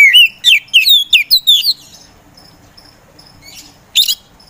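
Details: Oriental magpie-robin, a caged kacer songbird from Indonesia, delivering a burst of six or seven quick looping whistled notes, then a pause with faint thin high tones and one final sharp note.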